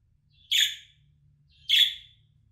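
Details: Two harsh, buzzy budgerigar chirps about 1.2 seconds apart, a contact call meant to bring a lost pet budgie back home.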